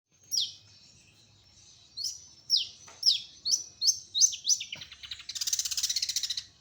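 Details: Local cendet (long-tailed shrike) from Kutai Barat, East Kalimantan. A clear high note opens, then a run of about eight sharp, falling whistled notes. It ends in a fast, buzzy, rasping trill. The background is quiet.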